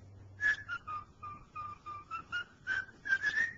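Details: Pet male cockatiel working through the tune "Dixie": a string of clear whistled notes that dips lower, then climbs back up and ends on a rising flourish, with a low hum in the room.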